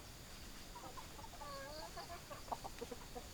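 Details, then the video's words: Hens clucking, a drawn-out wavering cluck in the middle followed by several short clipped clucks, all fairly quiet against a constant hiss. "Chicken Sounds Noises Hens Clucking Roosters Crowing"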